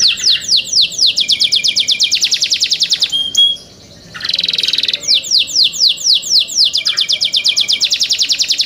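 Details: Young canaries in their keepers' care sing lively sequences of sharply downslurred chirps, each burst repeated quickly, broken by a brief buzzy trill in the middle before the chirping series resumes.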